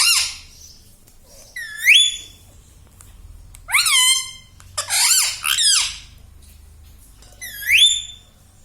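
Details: Talking pet rose-ringed parakeet, said to speak "mummy", gives sparse, separate phrases of bright rising squeaks and warbling word-like notes, with quiet stretches in between.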